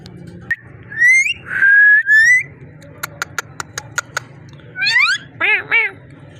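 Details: Talking ringneck parrot: rising and level whistles, a series of crisp clicks, then wavering harsh notes and a couple of bent calls against a faint low hum.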